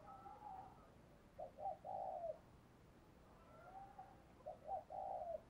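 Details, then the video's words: Spotted dove lure cooing, used to stimulate and excite males: two faint, low, hollow coo phrases about three seconds apart, each ending in a cluster of short notes and a longer drawn coo, over steady background hiss. "Tiếng Chim Cu Gáy Kích Bổi Căng Lửa Hiệu Quả, Thúc Gù Rất Sung"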